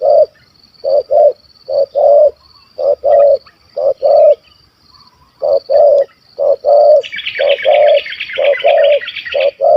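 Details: Stammering, big-voiced spotted dove singing kuk 1 2 during a hunt in Malaysia. Paired deep coos repeat steadily while a fast buzzy chattering of another bird joins in the latter half.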